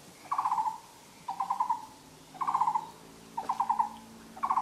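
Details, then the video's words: On a spring forest walk on 13 April 2014, a Taiwan barbet gives hollow, mid-pitched bursts of five or six quick knocking notes, repeated about once a second, over a faint low hum. "走入春天的森林一隅 伴著五色鳥鳴聲漫步"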